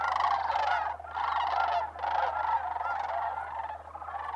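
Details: A dense chorus of migrating sandhill cranes (Antigone canadensis) at Bosque del Apache Wildlife Refuge, New Mexico, in December: many overlapping rolling, trumpeting rattles swell and ease in waves over a faint steady low hum.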